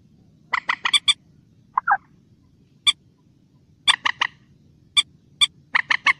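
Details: Common moorhen in the wild giving short, sharp clucking notes in loose bursts of three or four, with a softer lower croak between; faint background hum.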